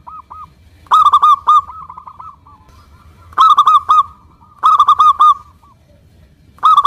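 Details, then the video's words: Local zebra dove singing steadily as a lure to set silent doves calling: short clusters of fast, rolled coos repeated at intervals of about one to three seconds, with quieter soft cooing between the loud bursts. "PANCINGAN PERKUTUT LOKAL GACOR UNTUK YANG MACET BUNYI SEMUA IKUT NYAUT"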